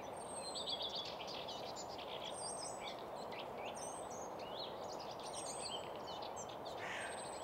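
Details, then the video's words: Common redstart singing at Nysved in Norra Järvafältet, captured in mono with a Sennheiser microphone and Zoom F6 recorder: short twittering, warbled phrases repeated through the clip, with thin high drawn-out whistles from other birds and a steady background hiss. "Common Redstart at Nysved"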